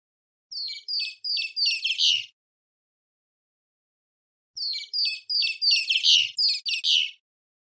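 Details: Great kiskadee chattering: two bursts of about eight rapid, harsh, scratchy notes, each burst lasting under two seconds and separated by a two-second pause, in a clean recording.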